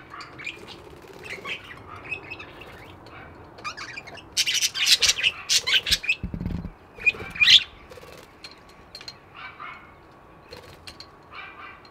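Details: Several budgies chirp softly in quick twittering notes, rising to a burst of loud scratchy chatter and sharp squeaks, with a faint steady hum behind.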